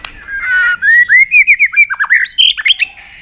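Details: Provoked white-rumped shama in fighting song, flicking its tail: a rising ribbon of rapid slurred whistles climbing steadily higher, ending in sharp high flourishes.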